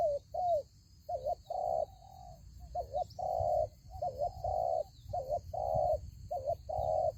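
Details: Spotted dove serving as a decoy in a ground trap, giving repeated mellow coos: short double-noted coos alternating with longer drawn-out ones, about fifty a minute, over a low background rumble.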